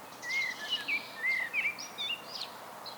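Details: Common blackbird in solo song, delivering smooth whistled notes and looping warbles, followed by a few higher, thinner squeaky notes near the end.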